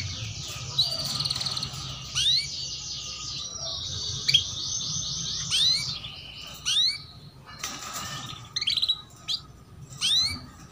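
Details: Female canary lure chirps used to train young canaries to sing; a long buzzy trill in the first half, then scattered sharp upswept chirps and short rattles, separated by brief pauses.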